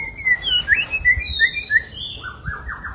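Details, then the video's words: White-rumped shama, a large captive songbird, singing a string of short whistled notes, then a quick descending run of repeated buzzy notes at the end. "Riwik.an murai batu big jumbo"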